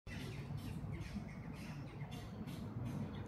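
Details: Western jackdaws (Corvus monedula) at Bled island, Slovenia, on 26 August 2024 give short, sharp, squawky 'chak' calls, several in quick succession about every half second, over a steady low rumble of wind or engine.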